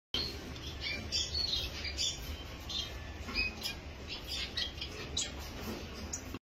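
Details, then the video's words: Owl finches (double-barred finch) in an aviary give short, high, nasal chirps and squeaks at an uneven pace, over a steady low hum and background rustle. "Owl Finch"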